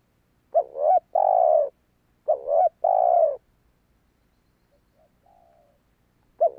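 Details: Spotted dove call played to lure wild doves: two full two-part coos about 1.7 seconds apart, a fainter distant coo answering, and the start of another call at the end.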